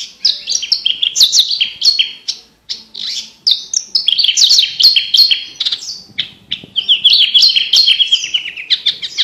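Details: Competition-training song of a branjangan: a long, nearly unbroken run of varied chirps, stepped whistles and rapid trills, with one brief gap near the start and busy mimicking phrases throughout.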